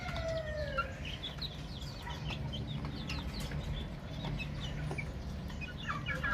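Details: Many baby chicks chirping at once, a busy chorus of thin, quick falling peeps scattered throughout, one longer sliding whistle at the start, above a continuous low background drone.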